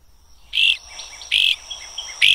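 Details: A Great Crested Flycatcher, a bird of the Florida Keys and Everglades, gives three loud, burry calls spaced less than a second apart over a thin, steady, insect-like high hum.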